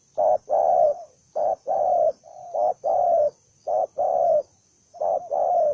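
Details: Spotted dove, a single bird said to be combative and hot-tempered, coos in a run of five low two-note phrases, short then long, with a softer extra coo slipped between the second and third phrases.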